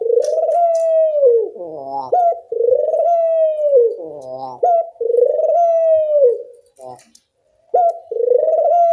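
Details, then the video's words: Dove lure recording with a loud, ringing voice, meant to train all kinds of puter doves to call: long drawn-out mid-pitched coos with a wavering, stacked middle section, repeated roughly every two and a half seconds. "Pancingan puter bersuara nyaring, melatih bunyi semua jenis burung puter"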